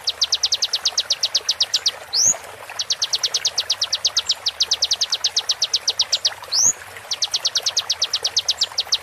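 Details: Orange-bellied flowerpecker, genuine recorded voice with water sounds added and slowed for training: rapid runs of thin, high ticking notes, about eight a second, broken by a sharp upslurred whistle every few seconds; faint background hiss.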